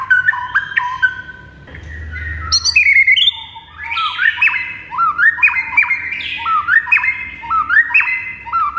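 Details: Energetic white-rumped shama song in a training recording: mixed whistles and buzzy notes, then a steady run of similar upslurred hooked phrases repeated about once a second.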